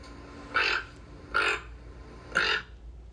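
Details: A toucan, a bird without a voice box that makes its sounds with its beak, gives three harsh, raspy croaks about a second apart, each brief and grating, over a low steady hum.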